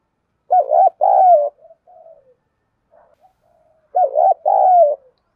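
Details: Female spotted dove used as a decoy, calling to attract males: two rounds of loud, hollow, wavering coos, each a short double note followed by a longer falling coo, with a soft quieter coo between rounds.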